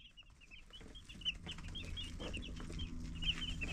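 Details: Baby chicks chirping on a live cam: rapid, high peeping notes repeat continuously with several birds overlapping, over a steady low hum and soft rustling.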